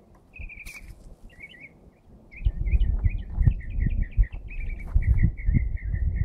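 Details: Unidentified bird singing early on a Saturday morning: a fast series of high, chirpy, slurred notes repeated about three per second for several seconds, over low rumbling background noise.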